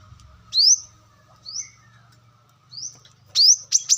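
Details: Wild brown-throated sunbird recorded in nature as lure audio: a few thin rising whistled notes spaced apart, ending in a quick cluster of sharp high chips, over a faint low hum.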